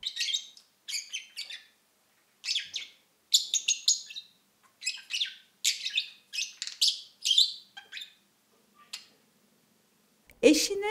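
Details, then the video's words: A caged budgerigar content with its surroundings and condition gives a soft, scratchy murmur of bright warbled chattering bursts, repeated every half second to a second; a brief rustle at the end. "halinden memnun olma mırıldanma sesi"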